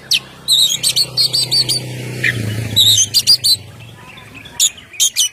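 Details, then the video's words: Oriental magpie-robin, ngeplong song used to lure birds and make them sing; short clusters of crisp high chips come in separate bursts over a steady low hum. "suara Kacer ngeplong"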